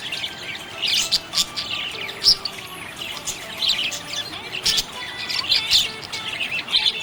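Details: Happy budgerigars twittering continuously: scattered high chirps and clicks with louder squeaky accents every second or so, and faint thin tones in the background.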